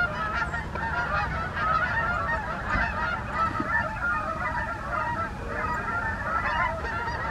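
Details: Morning flight of wild Canada geese in the USA: a steady chorus of many honking birds, overlapping and continuous throughout, with constant low-pitched rumble underneath.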